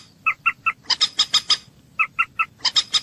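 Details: Common moorhen calls offered as a hunting sound: short sharp clucking notes in groups of three, alternating with faster bursts of higher, harsher notes, all spaced about 0.2 seconds apart, on a quiet background.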